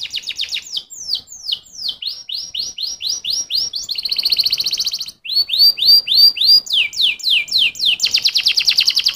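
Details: Canary song in quick tours: sharp downslurred whistles, a dense buzzy trill near the middle, a brief pause, then more rapid sweeping notes and a fast rattling trill at the end.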